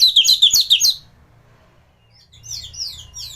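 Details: Orange-headed thrush singing gacoran-style song used as a master recording for training other thrushes: a quick burst of high, jumbled chirps and warbles, then a pause and fainter twittering phrases.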